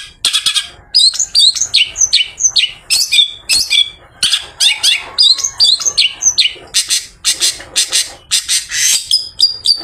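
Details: Afternoon song of a long-tailed shrike after bathing, meant to attract other shrikes; varied mimic-like mix of high whistles, slurred chirps and noisy harsh bursts, tightly strung together.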